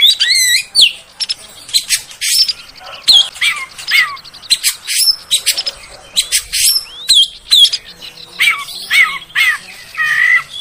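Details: Kept Oriental magpie-robin singing as a lure recording meant to boost the mental state of settled and juvenile birds: swooping whistles, harsh buzzy bursts and clicks in varied, fast bursts with brief pauses.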